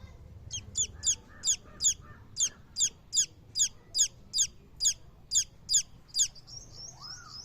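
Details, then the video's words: Chicken chicks peeping: a steady series of about thirteen piercing, high notes, roughly three per second, ending with a thin drawn-out whistle. "The Sweet Sound of Hen Babies"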